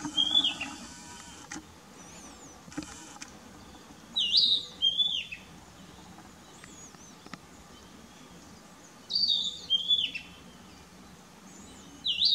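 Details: Narcissus flycatcher song from a park in Oshu, Japan, May 2017: high, clear whistled phrases with rising and falling slides, given in separate bursts about five seconds apart over a quiet background.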